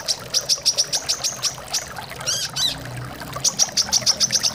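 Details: Brown-throated sunbird in a recording meant to coax kept birds into song: bursts of quick, sharp, high-pitched chirps repeated several times a second, a short twittering phrase midway, all against running water.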